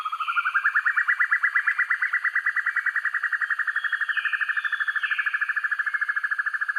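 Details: Rusty-breasted cuckoo, recorded as a master track for teaching birds: a long, fast pulsed trill that climbs at the start, then holds steady and loud for over six seconds with little change.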